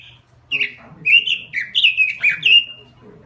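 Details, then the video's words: Robin singing a lure phrase: after a brief level whistle, a rapid string of rich warbled notes rising and falling, delivered energetically, with a faint steady hum underneath. "Suara Pikat Burung Robin Full Gacor . Masteran Burung Robin"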